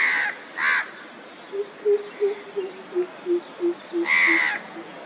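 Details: An Andaman coucal on Andaman Island, India, in March 2020 gives about ten deep, hollow hoots, three per second, falling slightly in pitch. Loud harsh crow caws break in before and after.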